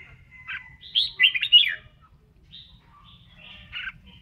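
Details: Red-whiskered bulbul singing and dancing during voice training, giving bright warbled phrases of quick rising and falling whistles, a loud burst near the start and a softer phrase near the end, with low background rumble.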